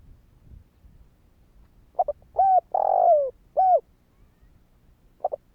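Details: Spotted dove used to stir other doves into calling, giving one phrase of quick soft introductory notes, a short coo, a long falling coo and a closing coo, then starting the next phrase.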